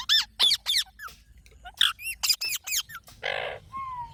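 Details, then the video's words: Parrot calling in rapid, loud harmonic squawks that curve up and down, clustered in quick groups, ending with a rasping burst and a smooth drawn-out whistle. "Funny Parrot Sound Videos | Parrot Sounds Videos Compilation"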